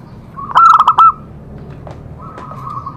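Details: Zebra dove song used to stimulate other doves to sing: a single loud burst of fast, staccato bubbling coos, followed by a softer, sustained cooing phrase against faint background noise.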